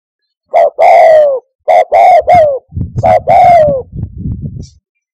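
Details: Spotted dove lure call for hunting from a hide: short-long falling coo phrases in quick succession, followed by a low muffled rumbling noise toward the end.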